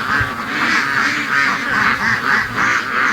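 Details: Free-range ducks in their morning rush, quacking in a steady run of loud, buzzy calls about every half second, with more birds quacking underneath.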